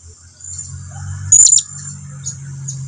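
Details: Blue-crowned hanging parrot calling its companions to come closer: one short, very high thin whistled note with a brief sharp burst, over faint low hum.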